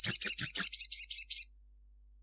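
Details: Crimson sunbird in vigorous midday song. A quick run of loud, sharp, high chirps slows and softens into a thin fading trill, ending with one faint high note.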